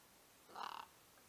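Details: A single released scarlet macaw visiting hanging feeders at a wild macaw reserve on a Sunday morning gives one harsh, raspy squawk, about a third of a second long and rough with a rapid flutter, in an otherwise quiet setting.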